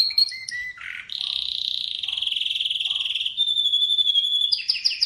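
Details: Atlantic canary song opening with short whistled notes stepping down, a low buzzy rattle, then long fast trills and a sustained thin whistle, closing with quick rising-falling chips.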